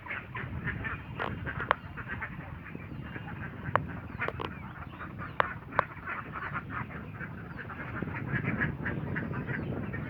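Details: A gathering of ducks in Assam, India, keeps up steady overlapping quacks for ten seconds, broken by a few sharp clicks or knocks, over a low background hum.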